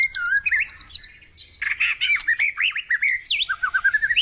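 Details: Morning White-rumped shama song aimed at making caged birds sing: a high rapid trill, then jerky whistled zigzag phrases and a falling series of short repeated notes, about three per second.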